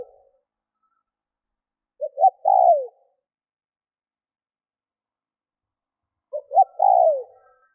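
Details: Lure spotted dove cooing to provoke wild doves; after a faint fading note, two full phrases about four seconds apart, each a pair of brief notes then a prolonged, descending, soft coo in otherwise quiet surroundings.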